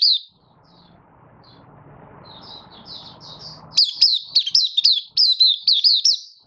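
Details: Caged Malaysian Oriental white-eye in minor moult, building form, 24 August 2023. Soft, distant-sounding chirps over low rumbling noise build into a loud, fast string of sweet, bouncing whistled notes.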